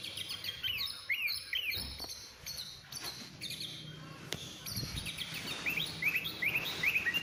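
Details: White-rumped shama giving quick, rising whistled chirps in short repeated series at the start and end, partly masked by clattering and thumping noise in between.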